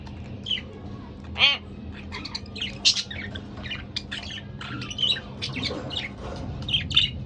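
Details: Two pet budgerigars keep up a scratchy, twittering chatter, broken by a few sharp, ringing squawks, over a steady low hum.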